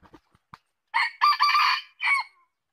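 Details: Red junglefowl crowing: a few faint clicks, then a loud, hoarse, harmonically rich crow in several segments lasting about a second and a half, ending in a short, clipped final note.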